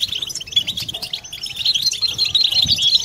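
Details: European goldfinches singing together in a collective chorus to stimulate males and females toward mating song; hurried, tinkling chirps and short trills tumble over one another, growing louder toward the end.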